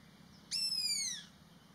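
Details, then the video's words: An Indian pitta alarm call: a single high, harsh, drawn-out note that slides slightly downward and lasts under a second, over a quiet background. "INDIAN PITTA ALARM CALL"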